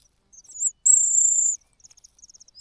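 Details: Cuckoo chick crying out from hunger while the host's own chicks are full: one long, loud, piercing high hissy note, framed by soft rapid ticking notes.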